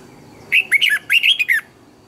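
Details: Red-whiskered bulbul training song, a lure recording with fired-up, double twisted notes: two bright, quick groups of warbling whistles, the second more tightly rolled, together lasting about a second, over a low, steady background hum.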